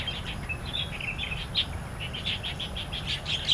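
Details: Wild starlings singing in Taiwan. Rapid, high chirping notes pour out in a lively, uneven chatter that peaks near the end, over a low background rumble.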